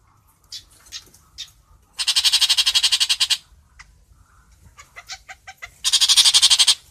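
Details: Long-tailed shrike calling the flock, giving a long harsh rattling screech of rapid pulses, a pause filled with short clipped notes, then a second shorter grating burst.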